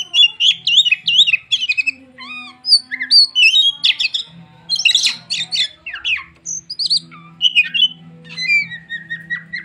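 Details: Oriental magpie-robin in full song, steady style: rich, varied run of whistled, slurred and chattering notes, bright and tumbling with short pauses, over a faint low hum.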